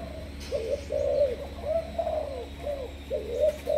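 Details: A caged Malaysian-strain spotted dove of the 'sấm thổ' voice style, kept as a decoy, coos in a steady run of low, rounded, slightly bowed notes with short breaks, against a faint low hum.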